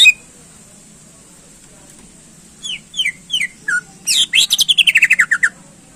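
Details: Greater green leafbird singing to provoke contest birds: after a short silence, a few descending whistled notes lead into a fast, loud rattling trill that slides downward.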